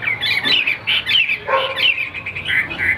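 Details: Tam hoàng type Chinese hwamei in a cage sings short, bright whistled notes in rapid, somewhat uneven bursts, with a lower slurred phrase in the middle.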